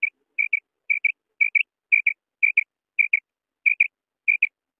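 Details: A clean run of common quail calls: rapid double notes, evenly spaced and high-pitched, nine pairs in a row.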